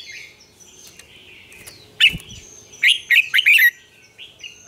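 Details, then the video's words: Red-whiskered bulbul morning song with double notes in the style of an old wild bird, used as a lure to train bulbuls: a loud burst of bright, warbled, rapid notes after soft chatter, with thin high whistles behind. "luyện chào mào hót sáng, Ép chào mào hót âm kép già rừng hay tuyệt!"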